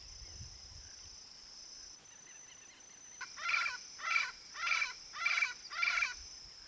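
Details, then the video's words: Yellow-faced parrot, a Brazilian endemic of open Cerrado, Caatinga and palm woodland, wild in natural habitat: five harsh, rasping squawks in a regular series about every half second, with a steady high insect whine behind. "PAPAGAIO-GALEGO canto (ALIPIOPSITTA XANTHOPS), YELLOW-FACED PARROT, PAPAGAIO-CURRALEIRO, CURAU."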